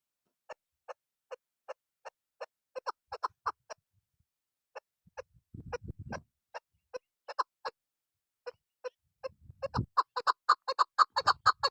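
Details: Chukar hen used for luring in hunting: widely spaced soft clucks that grow bunched and louder toward the end into a fast chattering run, with brief low rumbling in between.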